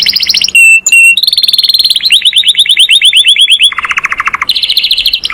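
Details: Master canary singing while calling friends and fighting: a bright trill, two clipped whistles, then a long run of rapid downslurred notes, a lower buzzy roll and a final bright rolling trill.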